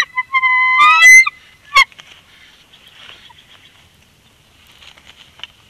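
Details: Nesting bald eagle pair in Big Bear during an egg incubation change, February 2021; a rising series of high, thin, squealing whistles opens, a sharp knock follows, then only faint background chatter.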